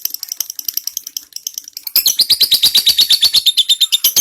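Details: Lovebird ngekek trill used as a white-rumped shama tutor: fainter high chattering notes for two seconds, then a louder, evenly pulsed burst of sharp notes about three per second.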